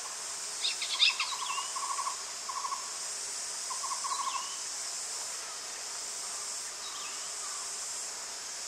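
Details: Yellow-shafted flicker of the subspecies chrysocaulosus, recorded at Soplillar, Cuba, in July 2017: two bursts of short, rapid, evenly pitched notes, each lasting about two seconds, over a loud, steady high-pitched insect drone.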